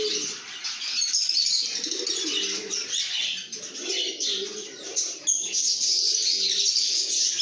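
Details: Cheerful chorus of lovebirds singing and chirping in a good mood: unbroken, busy high-pitched twitters from several birds, over soft low coo-like phrases that come and go.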